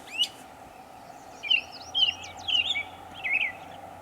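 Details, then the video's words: Varied mockingbird song recorded 23 May 2021 at Savannah, New York: a sharp note, then a run of quick twisting whistled and buzzy phrases, each repeated in bursts about half a second apart, over faint background hum. "Northern mockingbird Mimus polygottos video, making many sounds"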